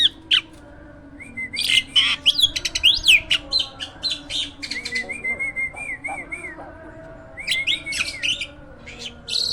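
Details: Hybrid jalak (myna) in a cage, a lively singer used to tutor other cage birds; loud harsh squawks and sharp chattering bursts alternate with a quieter series of short wavy whistles.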